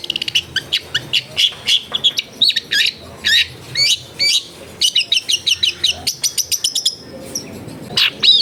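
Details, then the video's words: Long-tailed shrike singing at a home in a densely populated area, offered as therapy to get a quiet shrike to answer: long series of sharp, clipped chattering notes in quick bursts, with brief rising whistled slurs near the end. "TERBUKTI TERAPI CENDET MALAS BUNYI LANGSUNG NYAUT"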